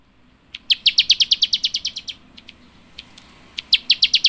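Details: High, sharp Java sparrow chirps: a brisk run of a dozen notes, a few isolated chirps, then another short rapid burst.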